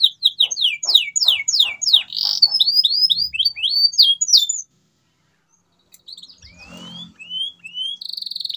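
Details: Canary singing to encourage silent canaries to resume song: a quick series of sharp sweeping chirps in the first half, a pause, then scattered whistled slurs and a short trill.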